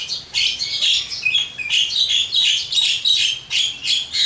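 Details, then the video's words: Javan myna (jalak kebo) in loud, lively full song, dense harsh chattering squawks and buzzy notes repeated in rapid bursts about two to three per second. "burung jalak kebo gacor,full materi"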